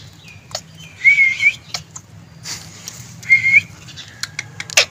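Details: Green ring-necked parakeet, a talking pet, makes two thin, level whistles about two seconds apart, framed by scattered clicks and soft breathy noise.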